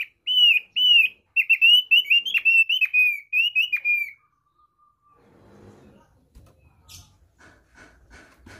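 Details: Basic song (kicau dasar) of a thick-billed white-eye from East Nusa Tenggara: a four-second series of loud, rapid, sweet whistled notes, then quiet with faint rustling and soft knocking sounds.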